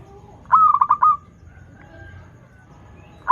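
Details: A single melodious phrase from a local zebra dove used to coax learning birds into song: a clear note breaking into four quick rolling stutters, then quiet background before the next phrase begins.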